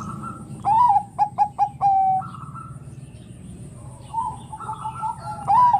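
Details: Zebra dove of the Bangkok type, said to make other doves sing; a curving coo, three clipped notes and a held note, then softer cooing from other doves and a new phrase starting.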